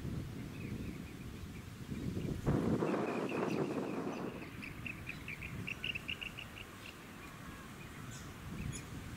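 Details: Rainbow bee-eater (Merops ornatus) filmed on Bribie Island, Queensland, in October 2019: a fast run of short, rolling chirps at a steady mid-high pitch, about four per second, over heavy low wind rumble and a brief gust.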